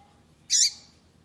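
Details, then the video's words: A single brief, scratchy, high-pitched chip from a female double-collared seedeater, calling to excite the male into singing, with faint background hum. "FÊMEA PAPA CAPIM PIANDO PARA O SEU PAPA CAPIM FICAR LOUCO PRA CANTAR"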